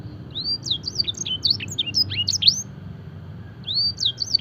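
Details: Canary singing a luxurious song with blackthroat and edel sanger phrases; a long rising whistle opens a quick jumble of sharp sweeping notes, a short pause, then another rising whistle and twitter.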